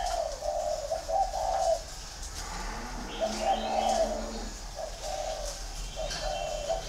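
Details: Mellow, quavering whistles from a green pigeon, in two drawn-out phrases split by a gap, with a lower warbling sound and faint bird chirps between them.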